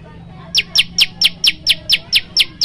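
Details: Prenjak lumut, a prinia, in full varied song used to train and stimulate other birds: after half a second of quiet, crisp high descending chips repeat steadily about four times per second.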